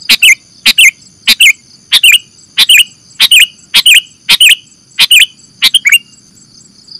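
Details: Sooty-headed bulbul (kutilang) lure call for bird catching: evenly spaced sharp double chirps, each a bright downward flick, repeated roughly every two-thirds of a second against thin high background tones.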